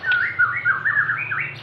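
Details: White-rumped shama, Aceh type, giving a quick series of looping whistled notes rising and falling, over a low steady hum.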